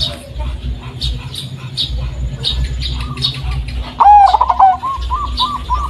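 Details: Zebra dove of the local Blorok Madu type, noted for a bassy, unique voice and used to lure doves; after quiet distant coos, a loud burst of rapid stuttered notes ending in a rolling trill.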